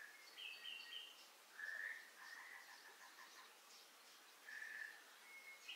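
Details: An Amur falcon on Amami Oshima, Japan, gives sharp, high calls: a quick run of thin squeaky notes, then a few longer, harsher nasal ones spaced a couple of seconds apart, over steady outdoor hiss.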